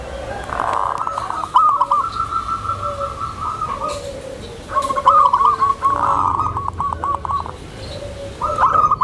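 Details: Tame, gentle zebra dove calling to lure and settle new birds. A stuttered coo leads into a long even trill, then a second busy rippling phrase and a final short burst.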